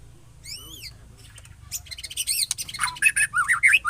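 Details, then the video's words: Strange calls of a white-rumped shama: an arched whistled note, then a run of fast sharp chirps and looping whistled phrases that grow louder, over low hum. "SUARA ANEH MURAI BATU"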